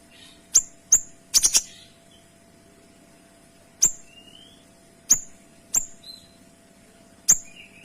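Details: Kinoy giving tight, clear 'tembakan' shots used as a training model for cage birds: sharp, very high snapping chirps, one quick triple cluster, then single notes every second or so, with a few soft whistled slurs.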